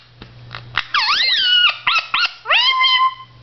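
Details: Blue Indian ringneck parakeet kept as a pet, talking to himself in a mirror: clicks, then drawn-out whistled syllables that dip and rise, followed by short chirpy words and a long rising-then-level whistled phrase.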